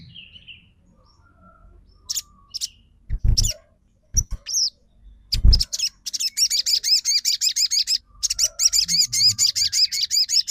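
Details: Crimson sunbird lure song, used to make birds that have stopped singing respond, sing back and become excited. Rapid, high-pitched twittering trill of quickly repeated sharp notes starts midway and runs to the end, after several loud low thumps and brief clicks.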